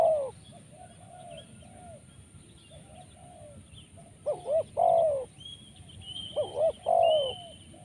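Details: Spotted dove (tekukur) with a call full of rolling 'rrr' sounds: soft low coos at first, then louder burred coos in paired bursts, with another bird's faint high whistles in the background.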